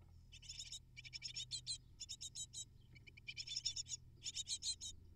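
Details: Great tit nestlings, eight in the nest, begging as parents deliver prey; short bursts of high, buzzy, rapid chirps come in clusters roughly every second over a low steady hum.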